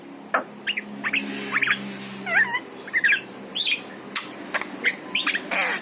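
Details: Yellow-eyed Javan myna song meant to draw pet mynas into singing: scattered scratchy squawks and sharp clicks with a few twisting, warbled whistles, over a steady low hum.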